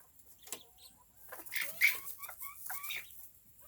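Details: Tiny bantam chicken family with chicks at their coop: soft short chirps and a few brief whistled peeps rising and falling, scattered over a few seconds with light rustling and scratching between them.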